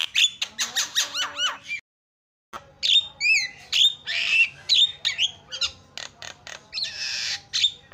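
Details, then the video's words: Starling chattering meant to set other starlings singing: quick rows of harsh notes and curling whistles, a short silent break, then varied raspy bursts, zig-zag whistles and squawks. "SEKALI PENCET JALAK LANGSUNG PADA CEREWET"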